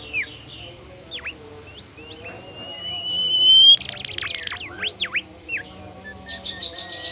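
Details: Active Bimoli bird song with varied whistled notes: downward-swooping slurs, a long rising whistle that swells into a loud burst of rapid clustered notes, then quick dipping whistles and a thin sustained tone.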